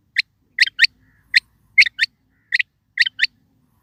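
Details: A quail calls in a steady series of sharp, short notes, often doubled, spaced roughly a second apart, with clean silence between them.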